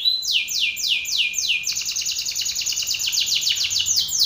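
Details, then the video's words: Male Belgian canary singing hard in a rival male's face: a slow series of long descending high sweeps, then a rapid, tight trill of repeated downslurred notes, loud and steady. "Canário belga BRAVO CANTANDO FORTE na cara de outro macho !"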